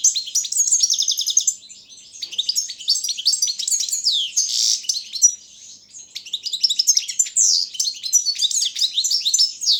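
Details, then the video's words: Balkan goldfinch singing for an internet world championship in goldfinch song: a long sparkling sequence of fast trills and chirps, a buzzy wheeze near the middle, a short quieter lull, then more rapid twittering. "Pesma štiglića 004/22 World Championship in Goldfinch Song"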